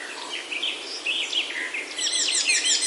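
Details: Birds singing in a Himalayan oak forest in the hills of Himachal, India. Bright chirps and short slurred whistles overlap from several birds, growing busier and louder in the second half.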